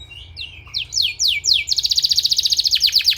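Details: Training-therapy song of a canary: a soft twitter gives way to several loud, descending whistled slides, then a rapid, evenly pulsed trill of high notes.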